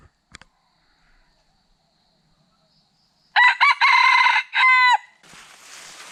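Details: A wild Red Junglefowl near a bamboo forest, late afternoon close to 5 pm while going to roost, gives one loud, hoarse crow of four clipped, choppy notes under two seconds, cut off short, then a soft rustling hiss.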